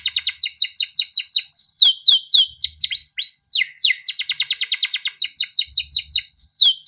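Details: Kept male canary singing nonstop, a rolling 'cuit cuit' song used to prompt other canaries: dense rapid trills mixed with repeated downward-slurred whistled notes at a fast pace.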